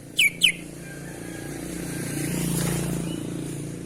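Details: Sooty-headed bulbul, described as singing actively with unusual sounds: two quick, sharp downward-slurred notes right at the start, then a steady low rumble of passing traffic with no further calls.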